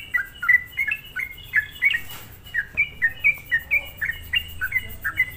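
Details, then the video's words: Lure recording of a sooty-headed bulbul, used to make other bulbuls agitated: crisp, quickly repeated falling whistled notes, evenly spaced, with a short noisy rustle near the middle. "suara pancingan trucukan gacor"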